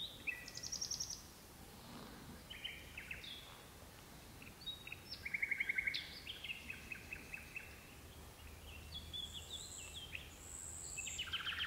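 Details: Common nightingale singing at twilight inside birch bushes, two birds present: a string of varied phrases with rapid repeated clicks, trilled bursts, clear whistles and a long pure note, delivered in short, spaced-out pulses.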